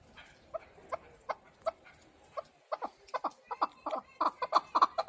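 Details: Chukar partridge calling: a series of short, clucking chuk notes that speeds up and grows louder and denser over five seconds.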